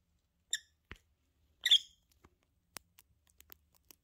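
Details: Lovebird couple, pet birds indoors: two brief, high, sharp chirps about a second apart, followed by scattered soft clicks and taps.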